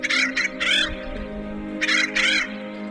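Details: Acorn Woodpecker in San Diego County, at a nest hole where a nestling-aged youngster is fed by the adults: loud, raspy, harsh calls in two pairs of bursts, over a steady droning music bed.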